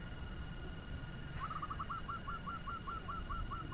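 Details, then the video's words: Local zebra dove used as a decoy, its fast song set against a steady rumbling background: a run of about twelve short, regularly spaced cooing notes begins mid-clip and carries on to the end. "Perkutut lokal pemikat suara ngebut‼️Bikin perkutut lain ribut"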